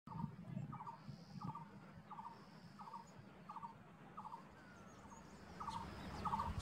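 A coppersmith barbet repeats a hollow, metallic "tuk" about twice a second, steady like a hammer on metal, over low background rumble and faint high-pitched chirps.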